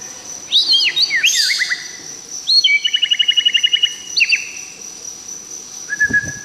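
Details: White-rumped shama of the Tangse type from Aceh singing a varied phrase: sweeping whistled notes, then a fast even trill of about a dozen clipped notes, a few rising slurs, and a low steady whistle at the end over a faint high whine.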